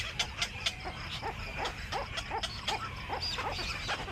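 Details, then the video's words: Evening return to the nest by a Black-crowned night heron; short harsh notes that drop sharply in pitch, repeated several times a second, with higher clicks at the start and a murmuring background. "Black Crowned night Heron back to #nest(evening)"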